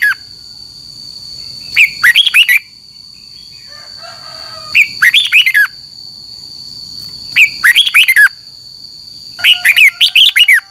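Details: Red-whiskered bulbul training song for morning singing, used as a lure to spur caged birds into contest singing; short bursts of rich, warbled whistled notes repeated every two to three seconds, with a steady high electronic hum throughout.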